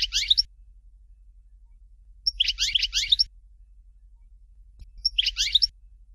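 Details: European goldfinch with Dalya song, "Fort de L'eau" style: three short bursts of high, rapid, chattering twitters, spaced about two seconds apart.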